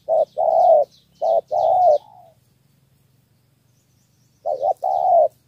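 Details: Spotted dove of Cà Mau, Vietnam, giving a three-note 'thổ' lure coo: clipped note followed by a drawn-out hoarse coo, two pairs, a pause of two seconds, then another pair.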